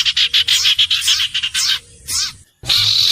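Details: Common iora song: loud rapid chattering bursts of harsh notes, then falling sweeps, a brief silence and a renewed dense burst.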